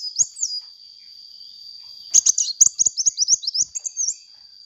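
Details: Actively singing sunbird, used as a lure for training birds. A brief high note, then from about two seconds a fast run of sharp, high twittering chirps, a few with rising and falling slurs. A steady high-pitched whine runs throughout.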